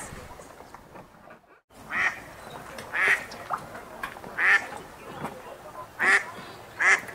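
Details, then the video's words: Ducks eating and splashing on the water give short, nasal quacks about every one to one and a half seconds over a steady wash of flowing water and splashing. "Ducks quacking, eating and splashing on the river with water sound"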